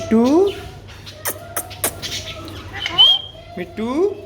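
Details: Alexandrine parakeet, a pet talking parrot, producing speech-like rising voiced syllables, sharp clicks and a high whistled note, with a steady low hum behind.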